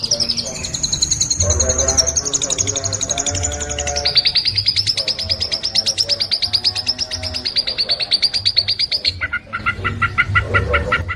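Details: Long-tailed shrike in fast song: a long, sustained, very rapid high trill held at an even pitch, shifting near the end into lower chirping notes, with a low rumbling background.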